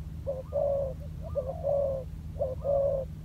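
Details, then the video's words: Spotted dove used as a decoy bird, down on the ground in training: three clear coo phrases, each a short note followed by a longer, steady mellow tone, over a low hum. "លលកធ្នាក់ចុះដីចេញក្បាច់បណ្តើរៗហើយ - Pikat Terkurkur trianing on land"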